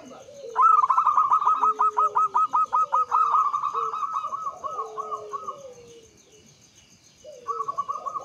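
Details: Local Javanese zebra dove song in the Mataram rhythm style, played as a lure to get other doves singing: rapid staccato cooing pulses that run into a trill, over a lower drawn-out coo, then a short resumed burst.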